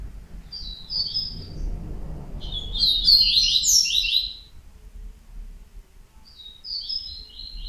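Yellow-bellied Seedeater singing three bright, high, rapid twittering phrases, the middle one loudest and most varied, over a low background rumble.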